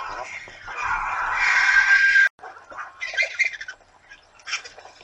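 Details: Hundreds of vultures gather to feed at breakfast time at Torre de Tamúrcia, fed twice a week: harsh, raspy hissing and squabbling, first in a dense two-second rush, then in scattered short grating bursts.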